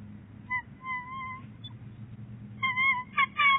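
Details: Bald eagles at the nest at Big Bear Lake on January 22, 2018, as the male delivers fluff for nest-building. Short whistled notes, then a longer steady whistle and a quick stuttering burst of chattering notes at the end, over low rumble.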